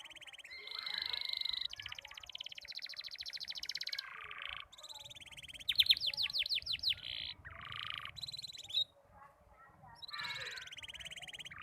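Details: Young canary learning to sing, its song still broken up: a varied run of buzzy trills, rapid rattles and short whistled phrases that start and stop with brief gaps, one phrase of fast looping notes in the middle.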